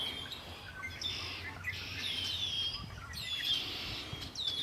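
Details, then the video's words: Birds singing by Lake Erie, clear descending whistled slurs and bright chirps overlapping in a busy chorus, with faint low rumble underneath. "Birds singing by Lake Erie"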